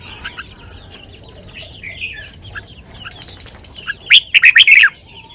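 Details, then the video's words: Red-whiskered bulbul delivering its sweet lak wai song. Soft background chirps from other birds lead up to one loud, rapid run of five slurred, warbling whistles near the end. "นกกรงหัวจุก 626 จ้าวมาดี ลากหวาย หวานๆ"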